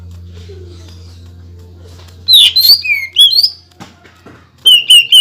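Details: Greater green leafbird bursts into song after a quiet start with a low background hum. Loud whistled notes swoop and leap up and down, then pause, then a fast pair of bright whistles follows. Meant to excite other leafbirds.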